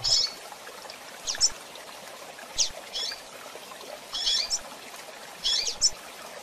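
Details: Female double-collared seedeater giving calls for training use: scattered sharp high chips and short upslurred notes, sometimes paired, at irregular gaps, with faint low thumps and steady hiss beneath.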